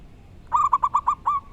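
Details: Local wild-type zebra dove giving a brief, loud burst of six rapid, rolling coos, the last one slightly longer. Faint low background noise is heard throughout.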